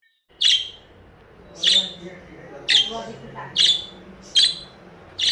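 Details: A happy pet budgerigar gives six sharp, high chirps, roughly one a second, each a quick bright burst over a faint low room hum.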